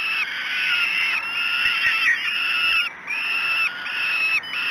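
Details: Falcon chicks begging at a breakfast feeding at Great Spirit Bluff, 06:54 on 5 June 2016; harsh, drawn-out wails repeated in a near-continuous chorus, each cry lasting about a second with brief gaps.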